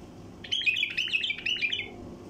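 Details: Wild bulbul giving a 'tayariyat' style song, used to get silent bulbuls singing: one rapid chattering run of bright warbled notes lasting about one and a half seconds, over a faint low hum.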